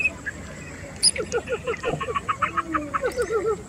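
American coot giving a rapid series of short, nasal clucking notes, about five or six per second, over steady background hiss.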